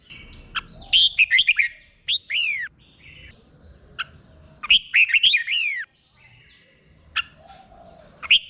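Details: Tutor song of a Red-whiskered bulbul used to train caged birds in Thailand: scattered sharp chirps between two bursts of rapid, liquid whistled notes with downslurred endings, separated by quieter gaps.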